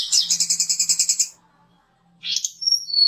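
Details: Mountain tledekan song used as a lure to provoke fighter birds: a fast rapid series of high chattering notes for over a second, a pause, then a rising high whistled phrase with thin sharp notes.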